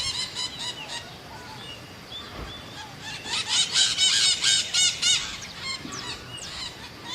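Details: Scaly-headed parrot calling: a few faint squawks early on, then a loud run of rapid, rhythmic, raspy notes in the middle that fades into softer calls at the end.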